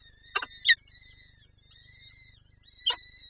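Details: Female peregrine falcon at a nest in Lublin, Poland, 23 April 2024, calling as she wants to feed her chicks: two sharp, harsh bursts early on and another near the end, over thin, steady high whining tones.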